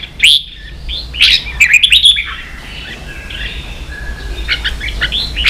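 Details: Red-whiskered bulbul singing 'ché' for training young birds; loud rising whistled notes open, a rapid clipped trill follows, then softer chattering warbles trail off.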